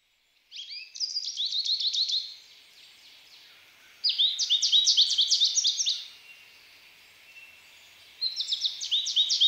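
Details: An American goldfinch sings three bursts of fast, high chittering notes, each run lasting one to two seconds, separated by short quiet gaps; background is calm.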